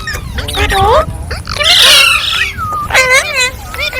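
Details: Loud green parrot calls, with clear harmonic notes that rise and fall. A harsh buzzy squawk comes near the middle, and a few close calls repeat about once a second.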